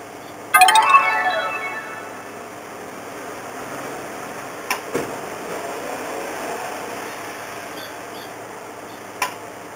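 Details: A brown-eared bulbul visiting to forage for food gives a single loud, harsh, slurred screech near the start, then quiet background hum with a few faint clicks.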